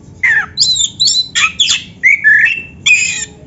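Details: Black-breasted oriental magpie-robin in master song meant to spur caged birds to sing: fast series of loud scratchy notes mixed with whistled slurs, about eight bursts in three seconds, faint hum behind.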